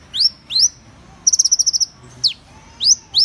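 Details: Van Hasselt's sunbird alternating thin rising slurred whistles with a short, fast run of high pulsed notes, about two whistles either side of the trill.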